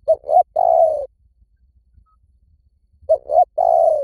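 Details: Two phrases of spotted dove cooing used as a lure, about three seconds apart. Each phrase is two quick hoots and then a prolonged, gently dropping coo, with silence between.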